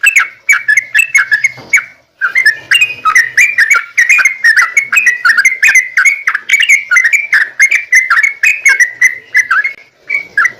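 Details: Extended rapid song of a yellow-vented bulbul, played to set off answering song in other bulbuls: dense, almost nonstop liquid chirping and gurgling notes with one brief pause early on.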